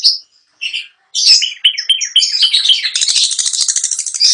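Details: Captive long-tailed shrike singing: a few spaced whistles, then a rolling series of warbled notes building into a dense, hissing high trill.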